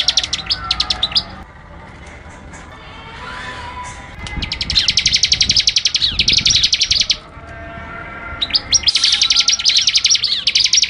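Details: A wild prinia, seemingly agitated, gives long bursts of high, rapid, sharp chipping notes in fast rattling runs of a few seconds each, separated by brief pauses.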